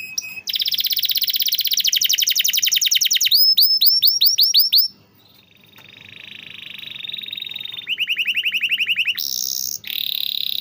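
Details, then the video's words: Canary song for training other canaries: fast rolling trills of repeated notes, a rapid buzzy high rattle, then a series of falling swept notes, a soft steady tone and more bright trills. "masteran burung kenari rajin bunyi cocok buat pancingan kenari susah bunyi/macet"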